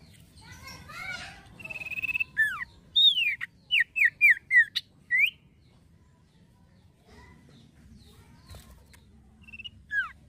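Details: Male common iora singing energetically: a fast chattering start, then a rapid string of about eight loud down-slurred whistles, quiet gap and one last falling whistle; soft low rumble behind.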